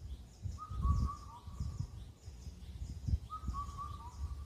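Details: Indian cuckoo calling on Cheonmasan, Incheon, Korea: two clear whistled four-note phrases, the last note dropping lower. Faint repeated high chirps from other birds and a low rumbling background.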